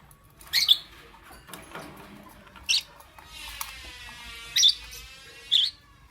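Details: Lovebird chirping in the morning: four loud, harsh, high-pitched chirps spaced about one to two seconds apart, with a softer, buzzy, ringing tone rising in between over a quiet background.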